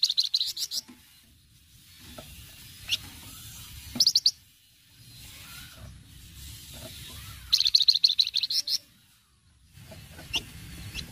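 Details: Flamboyan in cretetan style, singing gacor: short bursts of quick, high, metallic chattering notes at the start, near four seconds and near eight seconds, with scattered single chips and a low steady hum between bursts.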